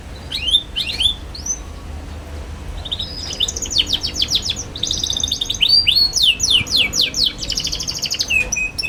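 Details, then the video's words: Young canary in energetic song, played to help other young canaries learn their voice: scattered whistled sweeps, then dense fast trills and buzzy rattles alternating with bright descending notes. "KENARI PAUD NGERIWIK GACOR CUIT CUIT BIKIN EMOSI |22| COCOK BUAT PANCINGAN KENARI PAUD BELAJAR BUNYI"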